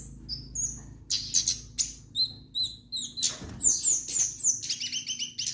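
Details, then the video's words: Lively song of an orange-headed thrush (kemade): sparse high chirps build into dense, rapid whistled trills and rolling phrases, with a low background hum. "burung kemade gacor dorr"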